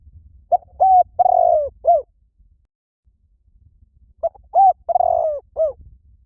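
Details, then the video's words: Calling spotted dove used as a lure: two matching phrases of mellow coos, a short clipped note, an even note, one long sliding coo falling in pitch, then a closing falling coo, with a gap of about two seconds. "Tiếng Chim Cu Gáy Gọi Hay Vang Xa . kích mồi cực hay"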